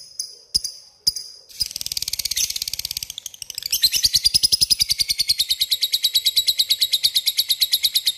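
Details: Lovebird calling a rival: two sharp ticks open, then a burst of harsh squeaks builds into the long, steady, rapid chattering trill called ngekek, which grows louder and runs on to the end.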